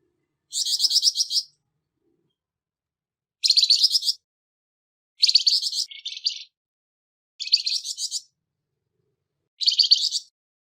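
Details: Harsh-voiced Flamboyan bird, recorded as training material for songbirds, repeating short grating, buzzy bursts of quick pulses about every two seconds. Five bursts in total, one ending in a lower rasp, with clean silence between them.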